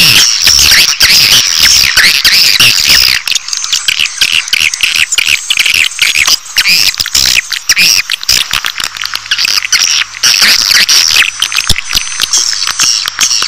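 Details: Swiftlet calls played to attract swiftlets: a dense, nonstop chatter of overlapping high twittering chirps over a steady, thin, high-pitched whine, with sharp clicks scattered throughout.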